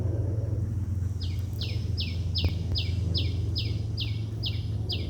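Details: At sunrise a bird starts chirping after a second of rumbling background, then gives about nine sharp, downward-sweeping high notes at a regular pace of roughly two per second.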